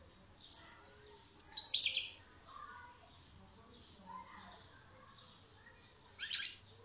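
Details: European goldfinch song: a few short, high twittering bursts near the start and another brief chirp burst near the end, separated by quiet gaps.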